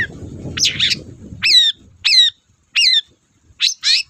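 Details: Long-tailed shrike singing busily on a lure recording: a rough burst, then three clear whistled notes that leap up and slide down, then more scratchy notes, with low rumbling noise at the start.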